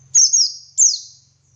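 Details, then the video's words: White-eye of the dakun type in ngalas song for training other white-eyes: two high, clear notes each sweeping downward into a trailing thin whistle, over a faint low hum. "Masteran Suara Burung Pleci Gacor Ngalas Nembak Buka Paruh"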